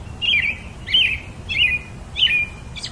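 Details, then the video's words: Four clear robin phrases, each a bright chirp twisting down into a short whistle, spaced about every two thirds of a second, over a quiet, steady background hiss. "Very versatile melody of the pretty Robin bird"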